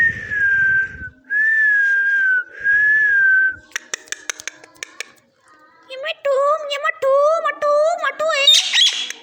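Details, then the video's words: Talking parrot: three sustained, level whistles, then a quick burst of clicks, followed by a run of high, wavering, speech-like phrases and a harsh noisy burst near the end. "parrot talking"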